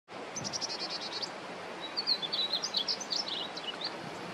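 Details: Juvenile painted bunting singing, not yet colourful: a quick warbled phrase of high, sweet notes opening with a rapid trill of repeated short notes, then a jumbled run of slurred chirps and twitters over a steady background hiss.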